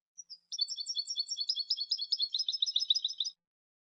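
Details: European goldfinch song: two brief introductory notes, then a dense, lively trill of rapid, bright, alternating high notes running for almost three seconds.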